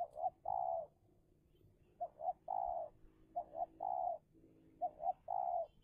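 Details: Spotted dove (tekukur) used as a decoy in Indonesia, calling during a fierce contest to lure a wild rival; low mellow coo phrases, each two quick short notes then a longer rolling coo, repeated three times.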